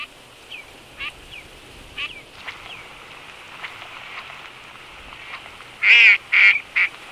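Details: Eurasian teal wintering in Azerbaijan's Absheron National Park, females pinching each other as males stay calm; soft scattered whistles early, then three loud close whistled calls near the end.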